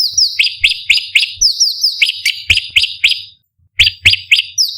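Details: Bulbul known as cucak cungkok, whose song trains competition birds, pouring out shrill, high, downward-sliding whistles in quick succession, pausing briefly once before resuming the rapid, varied series; faint low thumps underneath.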